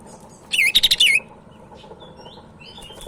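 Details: Sumatran leafbird (cak ijo) of Medan origin: a loud rapid warbled burst of wavering whistles lasting about half a second, then soft faint notes and a sharp click, over background hum.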